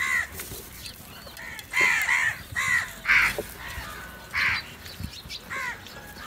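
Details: Crows squabbling over food, giving a rapid series of harsh, hoarse caws in uneven bursts, several voices overlapping, some calls loud and ragged, others fainter in the background.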